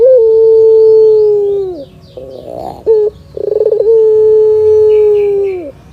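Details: Sustained low coo falling at its end, then a buzzy pulsed burst, a short clipped note and a rolling pulsed lead-in to a second long, level coo; melodious Barbary dove song heard by a cat.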